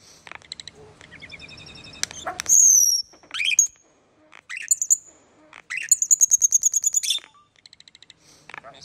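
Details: Common starling producing loud, very high squeals and a long rapid rattle of repeated shrill notes, separated by brief silences.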